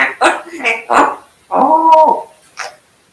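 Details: Talking African grey parrot mimicking speech: three clipped voiced syllables, a longer tonal vowel-like phrase held about half a second, then a final short breathy sound.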